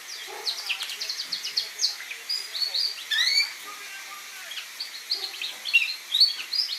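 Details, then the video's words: Young red factor canary singing: a busy run of high twittering notes, short chirps and quick slurred whistles, with a few brighter upward sweeps in the middle and a faint background hiss. "Red Factor Canary Finch Younge Singing Bird"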